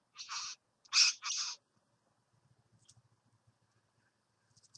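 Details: At a bower, a satin bowerbird utters three quick harsh, buzzing notes in the first second and a half, then falls silent apart from faint low tapping and scratching sounds.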